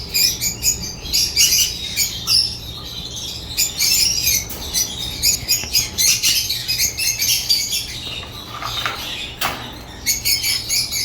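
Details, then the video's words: African lovebirds squawk and chirp in rapid shrill bursts, an overlapping chatter of squeaky notes with short gaps and one sharp click-like sound. "Lovebird chirps sounds"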